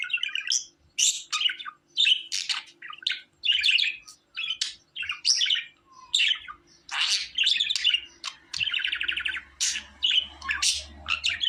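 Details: A captive budgerigar warbles continuously, mixing sharp chirps, buzzy rattles and squeaks in quick irregular bursts. A soft low hum enters near the end.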